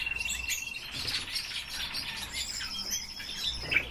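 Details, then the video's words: Pet common starling kept in captivity, sings while its keeper praises the performance: dense, continuous high twittering chatter mixed with thin whistles and rattles, ending with a sharp bright note, with faint low room noise. "Sturnus vulgaris- СКВОРЕЦ"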